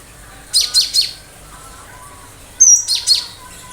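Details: Cinereous tit in full gacor form singing sharp 'tembakan' bursts: a quick phrase of three high, thin, downslurred notes, a pause of over a second, then another high whistled three-note phrase.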